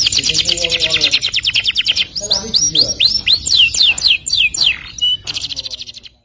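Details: Canary song of rapid trills and rolls, with dense buzzy trilling at the start and end framing a run of quick repeated up-curving whistled notes; background music and other birds or voices faintly mixed in.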